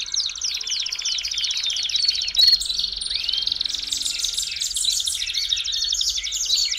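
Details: Belgian canary song for warming up a canary, heard as a steady high rattling trill with quick chirps and one rising whistled slur midway, the texture thick and unbroken.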